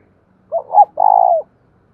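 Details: A single cooing phrase from a decoy spotted dove, kept to excite wild birds: a short hoarse coo, then a longer, burry, trembling coo that fades out, all low-pitched and clear against silence.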